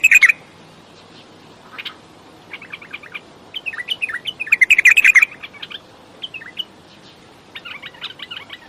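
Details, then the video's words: Bulbul singing: bright, rapid chirping phrases of short warbled notes, bursts coming in irregular clusters separated by brief pauses, one louder burst of tight repeated notes midway, over quiet background. "بلبل راقئ بلبل السورئ بلبل الصحرائی بلبل وحشئ"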